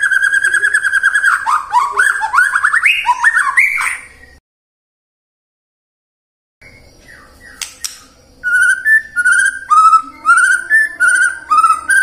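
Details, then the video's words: Caged white-rumped shama song used as a lure to prompt singing in the morning, midday and afternoon: rapid, varied whistled phrases sliding upward, a brief silence, then bright repeated chirping notes and rich warbles. "PANCINGAN MURAI BATU AGAR BUNYI PAGI, SIANG DAN SORE HARI"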